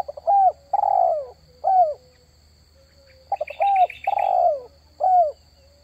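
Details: Spotted dove lure call, repeated: short rising notes, a long downslurred coo and a clipped final coo, each phrase roughly every two to three seconds, with a brief burst of higher chirps midway.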